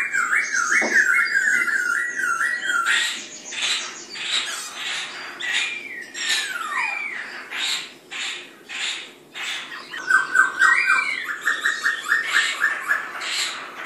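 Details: White-cheeked laughingthrush song amid competition over animal feed: an opening run of rapid wavering whistles, then dense harsh squawking bursts, later a fast series of short repeated whistled notes, about four per second.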